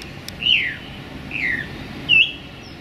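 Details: Song thrush singing in a small London park on a sunny January day: three separate slurred whistles, each falling in pitch, spaced about a second apart against quiet background noise.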